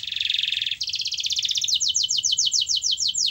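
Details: Canary singing as a lure for a reluctant canary: a dense buzzy trill shifts into a quicker rattle, then into repeated slurred, rising whistled notes at a steady pace.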